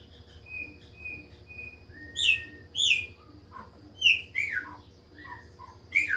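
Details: Chopi blackbird singing: thin level whistles first, then loud downslurred notes and quick descending chirps in pairs, spread over several seconds above a faint hum.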